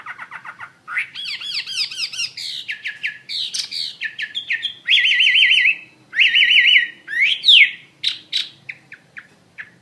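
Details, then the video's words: Chinese hwamei in varied song: rapid descending notes, repeated rising sweeps, then loud rolling trills wavering quickly in pitch, ending in sharp separate chips. "SUARA KICAU BURUNG HWAMEI WAMBI GACOR"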